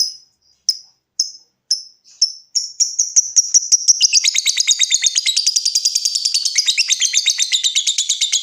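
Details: Lovebird song, used to spur other lovebirds into trilling, opening with sharp high ticking notes spaced about half a second apart that speed up into a long, fast, rattling chattering trill.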